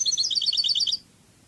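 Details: A European goldfinch in Cadiz singing style delivers a quick run of high chattering notes that stops sharply, followed by quiet.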